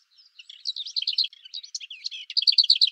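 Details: Song of a lesser whitethroat, a jumbled chattering warble of varied scratchy notes leading into a quick, level rattle of repeated double notes at the end.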